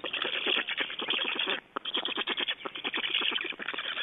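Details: At an Estonian black stork nest on 8 June 2012, chicks fed big fish keep up a rough, buzzing rattle of fast repeated notes, briefly dipping in loudness midway.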